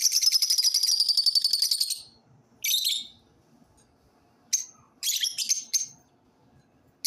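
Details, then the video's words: Singing lovebirds open with a rapid, pulsed high trill lasting about two seconds, then scattered shrill squeaks and clustered chirps after quiet gaps. "love birds singing"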